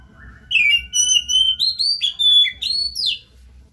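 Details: Oriental magpie-robin singing strongly as a lure to make a quiet bird sing; a steady run of clear, ringing whistled notes, each bending up or down, about six phrases in three seconds.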